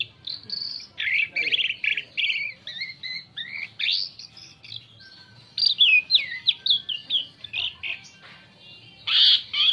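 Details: Asian pied starling song for luring birds: a long medley of fluty whistles, downslurs and chattering notes, grouped in bursts with quieter stretches and a final harsh squawk.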